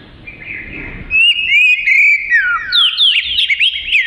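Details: Kacer (Oriental magpie-robin) in gacor singing, said to suit isian: quiet start, then steady high whistles building into a dense tangle of quick, twisting whistled notes toward the end.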